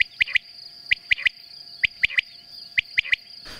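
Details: Common Quail in Poland, a shy, secretive bird more often heard than seen: liquid three-note 'wet-my-lips' phrase, repeated four times about once a second, over a faint steady high whine.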